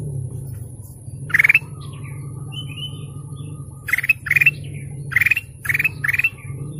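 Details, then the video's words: Golden canary song: short buzzy trilled bursts, each under half a second, separated by pauses and then repeated about every half second near the end. A steady low hum and a faint high tone run underneath. "GOLDEN CANARY BIRDSONG"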